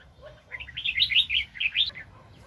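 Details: Wild red-whiskered bulbul, strongly aroused, recorded while being trapped in 2020: a lively, continuous chatter of fast warbled and whistled notes lasting over a second, ending on a high note, over faint low rumble.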